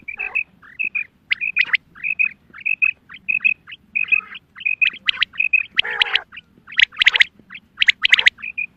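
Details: Female quail gives soft, high paired notes in a steady series, about two per second, broken by louder, harsher scratchy bursts; the call is described as a special hunting call.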